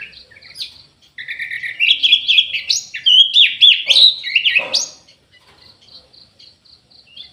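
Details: Captive orange-headed thrush in an aviary, singing vigorously: a continuous four-second run of rich, slurred, rapidly changing whistles and trills. Sharp clicks break through near the end, then soft thin notes trail off.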